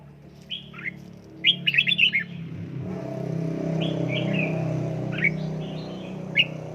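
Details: Red-whiskered bulbul trained at home, with a rapid burst of warbled whistles early, then scattered short whistled phrases over a rising low rumble like a passing vehicle.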